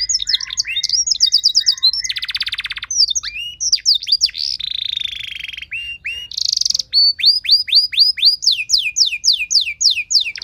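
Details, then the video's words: Canary training song used to coax other canaries into singing, with rich varied phrasing: fast repeated rising chips, buzzy rattling rolls, and sweeping whistled notes in quick succession, about four notes a second. "Materan Burung Kenari Lagu Istimewa! Cengkok Mewah Bikin Kenari lain Ikut Terpancing jadi Gacor"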